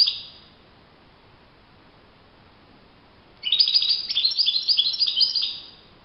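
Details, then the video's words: European goldfinch singing in the wild: the tail of one phrase fades out, then after roughly three seconds of quiet a fresh, rapid stream of tinkling, chattering notes runs for about two seconds. "chant chardonneret le Roi de la nature- Le chardonneret en pleine nature"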